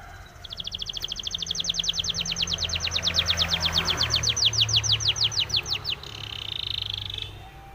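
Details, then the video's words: A canary, labelled both Belgian and Spanish Timbrado, sings a training song: a fast metallic trill of about thirty clipped notes in five seconds, then a brief buzzy roll, over a low background hum. "SPANISH TIMBRADO SONG FOR TRAINING - canary training song"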